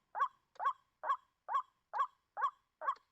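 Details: White-breasted Waterhen call, played as a trapping lure, giving seven harsh, nasal croaking notes, evenly spaced about two per second, with nothing else audible.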